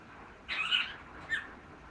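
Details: A parrot coughing: a harsh, breathy burst lasting under half a second, followed by a second, shorter cough, against a quiet background.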